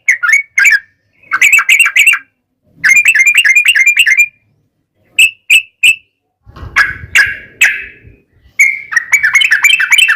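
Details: Yellow-vented bulbul 'ropel' lure song; bursts of quick gurgling notes alternate with single sharp chirps, a rougher noisy passage midway, and a closing run of rapid warbled phrases.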